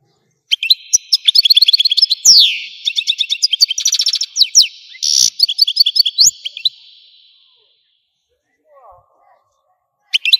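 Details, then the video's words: Algerian European goldfinch in full song: long varied phrase of fast twitters, buzzy trills and falling slurs over about six seconds, followed by quiet and a faint low sound, then more chirps. "تغريد الحسون قمة الابداع ! حسون جزائري"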